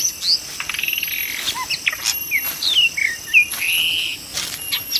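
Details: White-rumped shama in the wild during bird trapping, singing varied clear whistled phrases, some rising and some falling, with short slurred notes between pauses, over a steady high insect drone.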